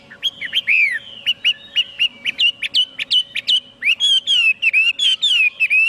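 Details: Chinese hwamei singing a loud, varied whistled song of rapid slurred notes, rising and falling phrases repeated in quick succession with short gaps, a faint steady hum underneath.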